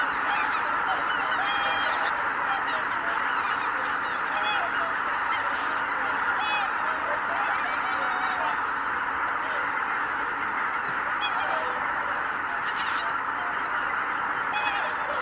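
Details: Massed greater white-fronted geese at Kabukuri-numa marsh, 12 January 2019, taking off as one flock. Sharp, squeaky honks burst out repeatedly through a steady, roaring carpet of overlapping calls.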